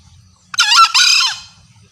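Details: Female green junglefowl calling males, a lure proven to bring males close: one loud, clear, screeching two-part call, a sharp first syllable and a longer raspy second that slurs downward, heard against quiet.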